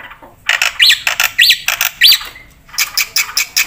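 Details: Black-winged myna singing energetically, its song full of varied phrases, used as a master tutor recording and lure for other birds: harsh broad-band squawks with three sharp rising-falling whistled notes mixed in, then a rapid burst of rasping notes.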